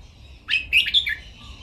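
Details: Red-whiskered bulbul kept in a cage, singing training song in the Thai styles of playful singing, note-counting (nap dok), mae bot and lak wai: one quick bright warbled phrase of four linked notes after a short silence.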